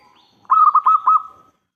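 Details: Local zebra dove, a lively singer with a big voice, used as a lure to make other doves answer: one cooing phrase of about five quick, clipped pulses on a steady pitch, ending in a short drawn-out note. The background is quiet.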